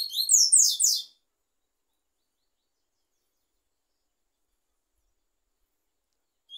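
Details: Double-collared seedeater (Sporophila caerulescens), tui-tui song.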